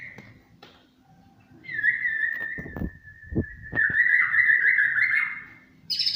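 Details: Champion white-rumped shama singing in the cililin-burst style: one long, steady whistled note held for about four seconds with a slight dip midway, broken by a few low thumps, ending in a higher burst.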